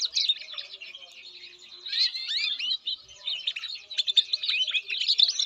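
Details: Canary pouring out a rapid, twittering warble of bright high chips and rolling trills, briefly softer near the middle before surging again, with soft low hum in the background.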